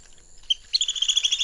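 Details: A feeding flock of Long-billed Dowitchers twitters in rapid, high-pitched overlapping notes after a single thin peep, a quick steady chatter.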